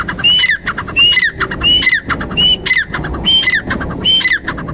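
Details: Grey francolin repeating a shrill three-part phrase about once a second, a clear whistled note leading into rough, descending squawks, with faint background hum.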